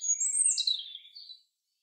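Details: In woodland, a chaffinch phrase sweeps downward from very high, thin notes to a lower slurred ending, short and clear against a quiet background.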